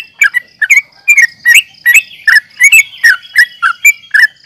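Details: Yellow-vented bulbul in a fighting mood, in a lure recording meant to provoke rival birds: harsh, chirpy notes near the middle of the range, in bursts of two to three, roughly ten bursts in under five seconds.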